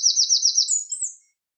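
A Eurasian wren bursts into a fast run of about six high, slurred notes, then a shriller twittering phrase, all over in just over a second, with no other sounds.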